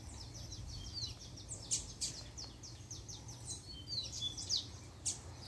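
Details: A male Double-collared Seedeater, kept as a pair, sings when the female appears: a fast, high run of sweet slurred chirps and sharp notes, steady and energetic, over a low background hum.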